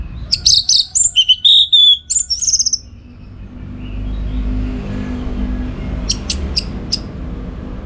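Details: Orange-headed thrush singing for training contest birds: a fast, loud opening of slurred whistles and chattering notes over about three seconds, then quiet hum, then a few faint sharp chips near the end.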